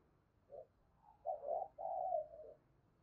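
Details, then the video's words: Decoy spotted dove giving soft urging coos: a brief low note, then rough, mumbled coos building into a longer purring phrase, fairly quiet over a low background hiss. "Tiếng chim Cu Gáy Mồi Cây Thúc GÙ và Gáy Gọi Cực Sung"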